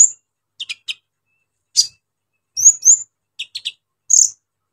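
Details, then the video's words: Brown-throated sunbird delivering a rough, varied repertoire to provoke other sunbirds: sparse sharp clicks and high chips separated by short silences, plus a pair of bright rising whistles. "KOLIBRI NINJA GACOR BONGKAR ISIAN KASAR BUAT MENAIKAN EMOSI KONIN BAHAN"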